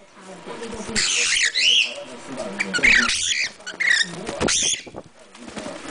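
A cockatiel gives loud, harsh, warbling chirps in bursts, with faint murmuring voices underneath.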